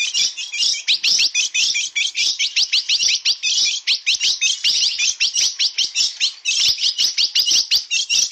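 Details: Blue-black grosbeak, steel-billed form, delivering na pegada song: an unbroken, quick series of high, downward-sweeping chirps repeated many times a second.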